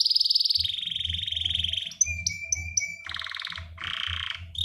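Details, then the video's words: Male canary in ngerek style calling a female, ready to breed. A long rolling trill gives way to clipped whistled notes, then harsh buzzy rattles, all over a rhythmic low background thump. "SUARA KENARI JANTAN NGEREK MEMANGGIL BETINA SIAP CUCUS"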